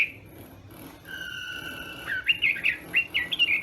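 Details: Chinese hwamei in morning voice training for contest singing: a long steady whistled tone, then a quick series of bright, slurred notes.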